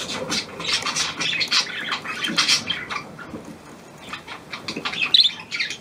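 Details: A new hand-tame Australian pied budgerigar gives scratchy, high chattering bursts and short squawks, with a quieter pause midway before the chatter picks up again.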